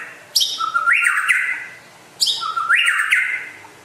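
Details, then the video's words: Rare white-rumped shama from West Aceh, Indonesia: two matching phrases about two seconds apart, each a sharp high note followed by a low whistle that jumps upward into a bright, slightly rough tone. "Kicau Burung Murai Asal Aceh Barat Langka Gacor Jos"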